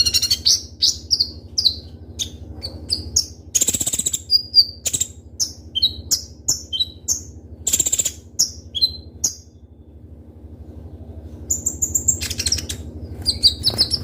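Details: Ninja sunbird (konin) singing hard, a song full of borrowed fill-in phrases and sharp rapid shots: thin high chirps and slurred whistles in bursts, with loud buzzy rattles and a brief lull near the end.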